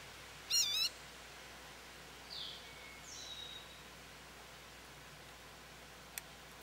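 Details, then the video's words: An American goldfinch sitting at a feeder, calling for attention, gives one brief, high, wavering call, quickly rising and falling, followed by faint softer notes and a single sharp click over quiet background hiss. "American Goldfinch Song"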